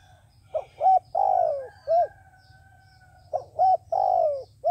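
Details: A trapping decoy dove coos to draw in wild doves: two short hoots, then a drawn-out descending coo and a closing hoot, with the phrase given twice and a low rumbling hum underneath.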